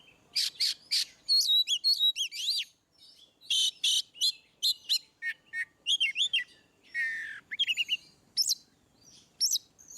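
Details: Oriental magpie-robin singing ngeplong style as a tutor for birds that rarely sing: clusters of loud chips alternate with looping whistled slurs and brief rapid trills, in a varied, continuous flow.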